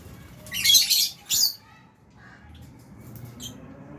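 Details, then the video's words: Feeding aviary lovebirds, albino and Fisher's kept with budgies, give a pair of rasping, broadband squawks early on, then a few faint high chirps in an otherwise quiet room. "Lovebirds Chirping Sounds"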